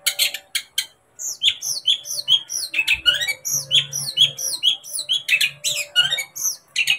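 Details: Long-tailed shrike song used to provoke a pet bird into singing: fast varied phrases of harsh chatter and sharp downslurred whistled notes, roughly two per second, after a brief pause.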